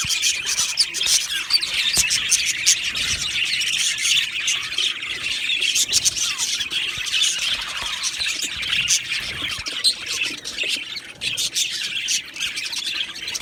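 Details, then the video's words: Aviary full of Australian budgerigars chattering together, a continuous high-pitched babble of warbles, clicks and squawks with no pauses, many birds calling over one another. "Budgie birds Chirping sounds"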